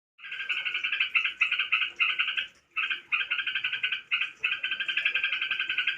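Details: Tame crokcokan singing a dense, buzzy, chattering warble. The song runs in long unbroken phrases of two to three seconds with short gaps between them and a quick fluttering pulse throughout. The background is quiet.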